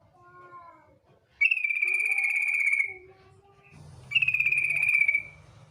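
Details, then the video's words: Female yellow-vented bulbul trilling to call the male: two long buzzy rattling bursts, each over a second, separated by softer low whistled notes. "TRUCUK BETINA memanggil JANTAN ngetir"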